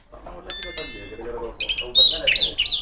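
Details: Female Oriental magpie-robin singing to call rivals; a few bright ringing bell-like tones come first, then a quick series of clear curved whistles and chirps near the end.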